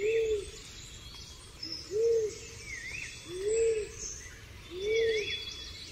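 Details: Pigeon calling four low, arched coos spaced about every one and a half seconds, with faint high bird twitters in the background.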